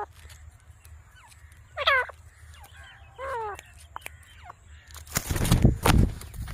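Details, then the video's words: A grey francolin gives a few harsh, ringing notes, some in short rising-falling bursts. A low rumble runs underneath, and loud rustling noise closes the recording. "Teetar ki boli"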